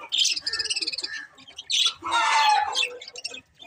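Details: Budgerigar chatter opening with a rapid series of pulsed, stuttering chirps, followed by a squeaky whistle and a loud, grating warble that fades into soft ticks.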